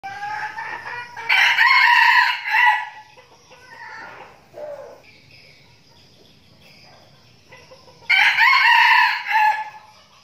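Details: Red junglefowl kept as decoy birds, a flock training before going to the forest in Binh Phuoc, Vietnam; two loud, harsh, multi-part crows about six seconds apart, with softer clucks and rustling between them.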